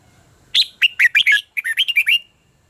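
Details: Red-whiskered bulbul contest song, used as lure for voice training: two rapid back-to-back phrases of clear, bouncing whistled notes, about a dozen in all, on a quiet background.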